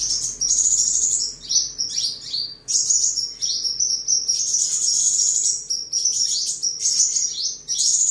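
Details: Tame caged sunbird, kept at home in Tân Phú, Đồng Nai, Vietnam, on 23 July 2022, singing while displaying and sparring: continuous high, thin twittering phrases with quick downward-sliding notes, nearly unbroken over eight seconds.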